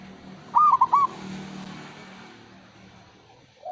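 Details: Male zebra dove, a local perkutut, used as a lure call to restart singing in quiet birds: one short phrase of three clear rising-falling coos near the half-second mark, then quiet background hum.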